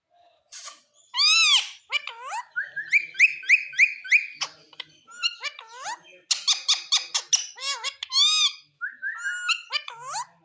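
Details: Green Indian ringneck parrot chattering continuously in human-like phrases: loud harmonic syllables, a string of short repeated whistled notes, fast clipped sounds about three per second, and bright arching squeals.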